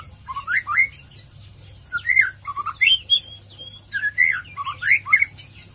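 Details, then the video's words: Murai batu, the white-rumped shama, singing gacor ngeplong: loud clear whistled phrases, swooping up and down, mixed with high ticking notes, about a dozen bright bursts in quick succession over a quiet low hum. "Murai Batu ngeriwik ngeplong"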